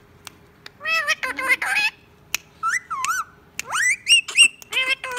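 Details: Indian ringneck parakeet kept as a talking pet, mixing squawks with mimicked speech: harsh broadband bursts alternate with short warbling, rising whistles and clipped word-like sounds.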